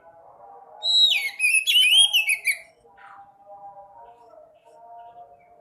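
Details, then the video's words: Sekoci (white-breasted woodswallow) singing to coax quiet caged birds into song: a rapid cluster of chattering, slurred whistles lasting under two seconds, then softer, lower warbled notes continuing in the background. "Pancing burung sekoci yang males bunyi, pasti sekoci anda gacor dan ngobra"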